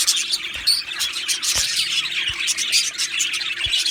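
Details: Australian budgies chirping in an aviary: busy overlapping tweets and warbling, with one clear upward whistle near the start and a few soft thumps below the high twittering.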